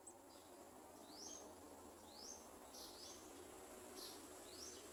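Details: Garden sunbird searching a small jar for insects to feed its nestlings: thin rising sweeps repeated roughly once a second, partly masked by heavy steady background noise.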